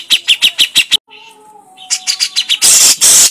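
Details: Crecetan chattering of a grey-cheeked bulbul (cucak jenggot): quick clicking notes in a rapid series, a pause with a faint steady whistled tone, more clicks, then two loud harsh hissing bursts.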